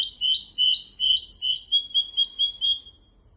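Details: Goldfinch x canary hybrid, singing to tutor goldfinches and canaries, pours out a steady stream of fast, high, chattering warbled notes for nearly three seconds, then falls silent.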